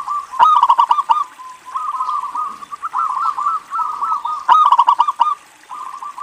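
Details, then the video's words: Zebra dove from a local singing line in full voice, meant to entice other doves to sing: repeated phrases of rapid, clipped cooing notes with sharp onsets, each lasting about a second, with short gaps between. "PERKUTUT LOKAL GACOR INI PALING BANYAK DICARI UNTUK PANCINGAN"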